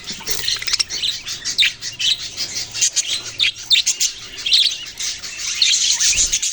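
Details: Budgerigars give high, scratchy chatter in pulsing bursts roughly every half second, with many birds calling at once.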